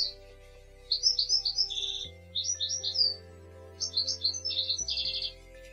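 European goldfinch giving a light, liquid twittering song of very fast tinkling notes in three bursts, over a steady low musical drone.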